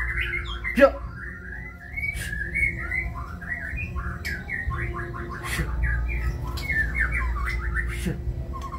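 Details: A white-rumped shama delivers kebyok song as a long, almost continuous chatter of rapid repeated slurred notes, with a few sharp clicks and steady low background hum.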